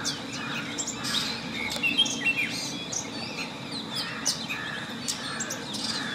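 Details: Long-tailed shrike chirping and singing: a rapid jumble of short high notes and squeaky slurs, loosely repeated, above a steady noisy background.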